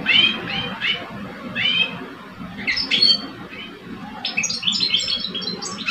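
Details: Singing contest between two caged male European goldfinches, one old and one two years old. Scratchy, squeaky call notes come first, then a quick run of bright twittering song near the end.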